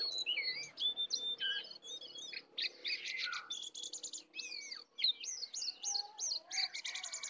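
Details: Wild versus caged sooty-headed bulbul contest, full filler song; varied whistles with rising and falling slurs, short rapid buzzy trills, and looping high phrases tumbling quickly one after another.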